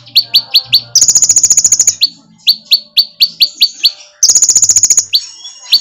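Sunbird song: quick bright upslurred chips, about five a second, broken by one-second bursts of a very high, fast, rattling trill. No other sounds.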